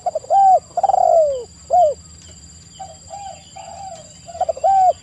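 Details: Spotted dove (tekukur) lure calls: short rounded coos and one longer falling coo, a quiet stretch of softer distant coos, then two more loud coos.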